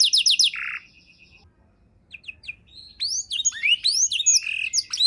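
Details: Canary song from a tutor recording for songbirds: a short fast trill and buzz, a near-silent pause with a few faint notes, then a burst of high sweeping whistles.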